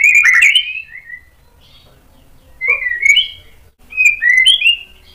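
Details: White-rumped shama lure song aimed at provoking rival shamas: short bright whistled phrases with quick upslurs, separated by pauses.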